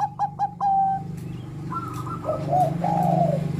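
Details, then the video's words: Zebra dove of the Bangkok type in full song, used to coax young birds into singing: a quick run of clipped, ringing coos, then longer wavering coo notes over a steady low hum. "PERKUTUT BANGKOK GACOR kutut Bangkok Gacor Manggung"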